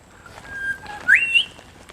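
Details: Little cuckoo calling at the Nudgee Beach wetlands on 15 November: a single clear whistle that sweeps steeply upward, then holds a level high note for a moment before ending. A fainter steady whistle is heard before it, over a quiet background.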